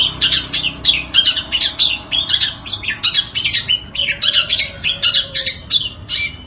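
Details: Long-tailed shrike repeating harsh, buzzy chirps several times a second. The notes fall into evenly spaced bursts, with short high squeaks mixed in.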